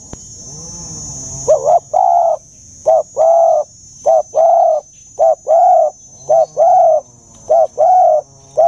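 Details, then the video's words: Dove giving a deep, old-voiced call of the style known as 'già rừng sát bổi': after a faint low murmur, repeated paired coos, a brief note followed by a longer hollow one, roughly every 1.2 seconds, over a thin high whine. "Tiếng Chim Cu, âm giọng già rừng sát bổi"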